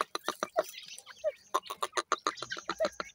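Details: Teetar, the grey francolin, as chicks calling their mother: quick, uneven series of short, sharp peeps and chirps, roughly three or four per second, with occasional lower, slurred notes between them.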